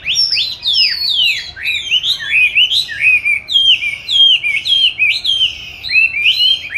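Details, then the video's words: Oriental magpie-robin kept in a cage since July 2020, placed in an ideal spot for singing practice, recorded 22 March 2021: loud, rich whistled song of sweeping downslurred and looping notes, delivered continuously. "con than chuyền nuôi 29-7-2020(clip quay 22-3-2021) treo chỗ lý tưởng luyện hót"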